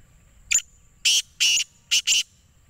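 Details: Black francolin (kala teetar) calling: a short harsh note, then four loud, grating, broadband notes in two pairs, the whole phrase packed into under two seconds over a faint low hum.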